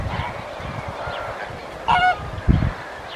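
A Glossy Ibis gives one short, nasal, honking grunt over a steady low rumble, followed by a brief dull thump.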